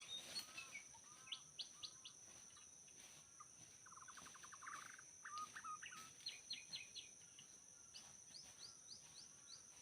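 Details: Wild white-rumped shama in forest during bird trapping in Lombok: varied whistled phrases, a rapid buzzy rattle near the middle, and clipped rising notes, over a steady high insect drone.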